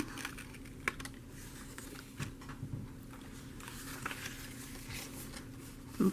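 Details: Soft clicks and taps, like typing or handling paper, in a quiet room with low hum and a brief thump at the end; no animal sounds.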